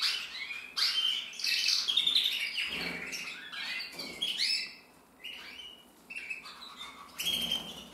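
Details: Male red mosaic isabel canary from 2024 singing a varied run of chirps, short trills and bright whistled notes, loud at first, briefly quieter midway, then resuming with sharp high phrases.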